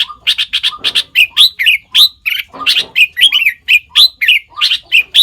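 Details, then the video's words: Loud sooty-headed bulbul, locally nok taet, able to imitate more than five kinds of birds, pours out rapid, energetic chirping with bubbly, twisting phrases repeated several times a second and no other clear sounds. "เสียงนกปรอดหัวเขม่า นกแทด เลียนเสียงนกได้มากกว่า 5 ชนิด"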